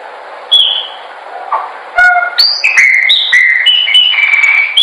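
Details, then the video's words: Chopi blackbird song for training birds to sing: long clear whistled notes at varied pitches, some level and some sliding down, with sharp clicks between phrases and a faint steady hiss behind. "melhor pássaro preto/cantando para treinamento."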